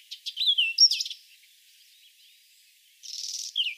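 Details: Whinchat song with a varied opening phrase of whistled slurs, scratchy notes and a rising trill, a quiet gap, then a buzzy rasping burst and a falling whistle at the close.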